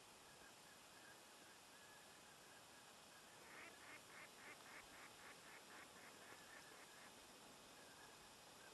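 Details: A Puna plover at Laguna de Pozuelos in July 2010 gives a quick series of about a dozen short, clipped notes, roughly three a second, over steady wind-like hiss.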